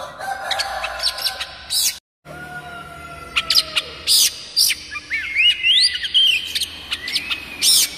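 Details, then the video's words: Oriental magpie-robin (kucica kampung) song used as a lure and training recording to make kacer birds sing. Loud whistled and sharp chirped phrases, some rising and falling slides, broken by a brief silent gap. "Banyak kacer LANGSUNG BUNYI dengan suara khas kacer ini MASTERAN KUCICA KAMPUNG"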